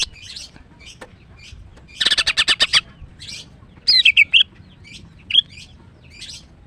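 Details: Kept female greater green leafbird singing in the morning: a rapid series of about seven sharp chirps, then a fluid warbled whistle phrase, with scattered softer high notes around.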